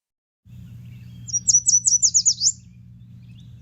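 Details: A Yellow Warbler sings a bright, high, sweet phrase of about seven quick, smoothly flowing slurred notes lasting just over a second, over a low steady hum.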